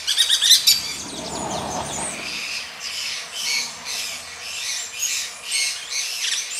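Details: Grey-breasted Parakeets mating give harsh, grating screeches: a loud chattering burst at the start, then a steady run of scratchy notes about every two-thirds of a second.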